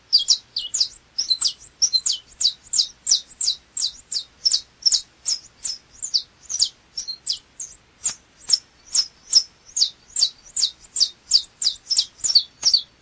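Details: Canário chapinha (saffron finch) song: a long, steady string of bright, piercing downslurred chirps, about two or three per second, continuing unbroken with nothing else audible.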